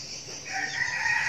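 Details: Young red junglefowl decoy bird from Bình Phước province, Vietnam: a short fragment of a crow, a harmonic note steadying and strengthening midway, over a constant high insect drone.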